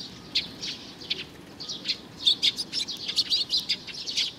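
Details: A young sparrow chirps, sparse high notes at first, then a quick series of loud, evenly spaced sharp chirps in the second half.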